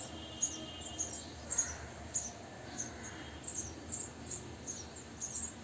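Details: Three-day-old house sparrow chicks in a bird house being fed insects by their parents, the pair's fourth brood there; thin, very high cheeping notes in short bursts, roughly twice a second and irregular, over a low background hiss.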